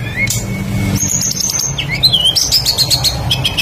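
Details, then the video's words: Tledekan bird singing as a lure for other birds. A short run of wavering whistled notes and quick upslurs sits above a faint low hum. "PANCINGAN BURUNG TLEDEKAN PASTOL GACOR FULL ISIAN LANGSUNG IKUT BUNYI"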